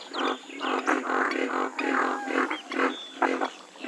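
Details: Western swamphen (Porphyrio porphyrio) calling with rough, honking squawks, roughly two per second, uneven in spacing, with a faint thin whistle in the background.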